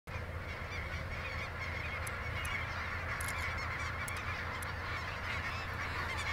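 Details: Geese at the Sonny Bono refuge, a dense, continuous chorus of overlapping honks and nasal calls from many birds, with no pauses, over a steady low rumble like wind.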